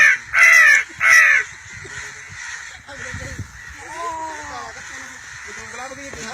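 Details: Crow giving two loud, harsh caws in quick succession at the start, followed by quieter human voices talking through the rest of the recording.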